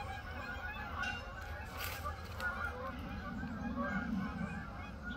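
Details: Canada geese massing before flying south: continuous overlapping honks from many birds, nasal and layered, with a low droning rumble beneath and a brief burst of broadband noise near the middle.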